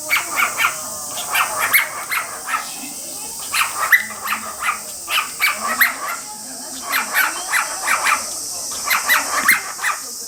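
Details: Pet male cockatiel calling steadily while a female bathes under a spray mister, perhaps mimicking the bathing sound; short harsh chirps and squawky notes repeat rapidly throughout, over a constant hiss of spray and faint room noise.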